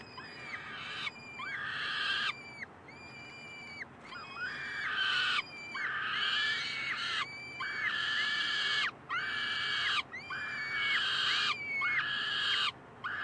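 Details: Peregrine falcon chicks at Columbus on May 9, 2015, begging for food while the resident adult male babysits; loud harsh drawn-out wails with harmonic bands, repeated nearly back to back with brief gaps, several overlapping.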